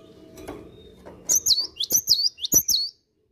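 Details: Cinereous tit singing vigorously in the morning: after a quiet start, a quick run of high, sharp, swooping notes, about eight in just over a second and a half, each a short downward-bending whistle with a flick, with faint low room background.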